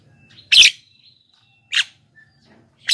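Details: A Black-winged myna calling vigorously, a sound used to draw wild birds near and motivate idle captive singers: three loud, harsh squawks, the first strongest, with faint murmuring in the background.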